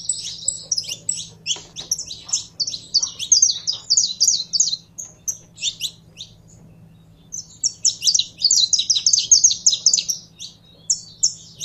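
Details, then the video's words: Excited saffron finch (canário da terra) in full song: long rapid strings of high chirped and buzzy notes, nearly three per second, pausing briefly midway, over a soft constant electrical hum. "Canário da Terra Esquentando em 3 2 1!!!"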